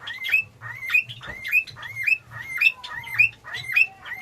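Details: A captive male Java sparrow in a breeding setup repeats a bright phrase of clicks and a rising, bell-like whistle about every half second; males give this call, females never do.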